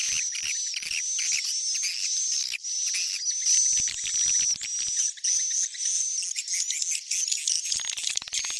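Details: Swiftlet lure sound called Tarik Onar, shared for farmers to attract swiftlets: clicking chirps and cricket-like trills in quick bursts about every half second, with a sustained high whistle rising near the end.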